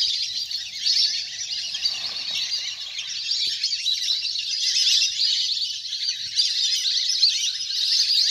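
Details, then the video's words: Large flock of ducks at play on water in nature, a lure recording for calling birds in; dense sharp chattering from many birds with soft low background noise. "เสียงนกเป็ดน้ำ! ฝูงใหญ่เสียงคมชัดมาก สำหรับต่อเรียกนกให้ลง"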